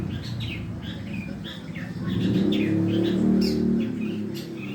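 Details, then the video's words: Practising long-tailed shrike delivers short downslurred squeaks and buzzy chips in a fast, fairly even series, over a constant low droning hum. "burung cendet belajar bunyi"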